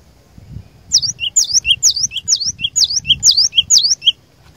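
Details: Lure cinereous tit singing without pause to provoke rivals: seven evenly spaced two-note phrases, a high downward-swooping whistle followed by a short lower note, repeated about twice a second over soft background rumble.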